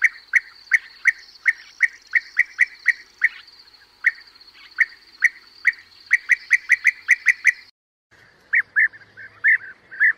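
European bee-eater calls, short rolling mid-pitched notes repeated in quick bursts, pausing briefly before more liquid, slightly varied calls. A faint steady high hiss runs beneath.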